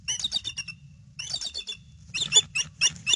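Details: Bald eagles calling out on alert at their nest, 22 February 2016, 5:50 PM nest camera; three fast runs of shrill, stuttering piping notes, the last run louder and sharper, above a low background hum.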